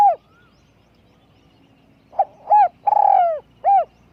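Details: Decoy spotted dove with a small voice. A closing note sounds, then after a quiet gap comes one full phrase: a soft lead-in, a short coo, a long vibrating falling coo and a final short coo.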